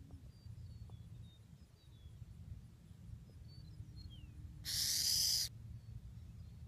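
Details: An almost-fledged young burrowing owl, displaced from its burrow by flooding at Santa Rosa Ranch, Florida, gives its rattlesnake call to warn off unwanted visitors: one harsh, buzzy hiss lasting about a second, over low rumble and faint distant chirps.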